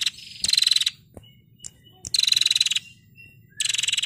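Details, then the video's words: Female prinia used to train songbirds, giving rattling 'ngetirr' bursts: three harsh, rapidly pulsed buzzy trills of about half a second each, roughly 1.5 seconds apart, with faint clicks in between. "Burung Prenjak Betina Gacor Ngetirr"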